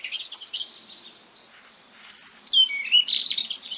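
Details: In a spring garden, a European robin sings varied high phrases: warbling notes, clear thin whistles at different pitches, a falling slurred note, and a burst of rapid twittering, with short pauses between phrases.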